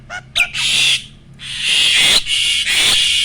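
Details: Breeding-ready mature male Asian pied starling giving loud harsh rasping squawks, each lasting about half a second to a second, after two short sharp opening notes.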